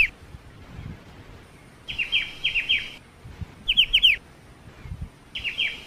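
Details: Ciu bird singing in a recording made as song-tutor material: short bursts of bright, downslurred whistled notes, three to four per burst, repeated in four phrases over quiet background hiss with faint low rumble.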